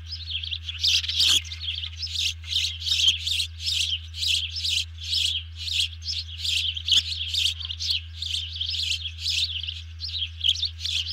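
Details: Bald eagle giving an alert after grabbing a fish, while a second eagle ducks down, recorded 31 July 2020 at 04:42; rapid run of high, chittering chirped notes in bursts about every half second, over a steady low hum.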